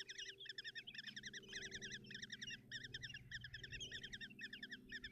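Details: Nestling common kestrels begging while the mother feeds them breakfast, Tiszalök, Hungary, 30 June 2024; short trilled squealing phrases repeat roughly twice a second in a steady series, with low humming in the background.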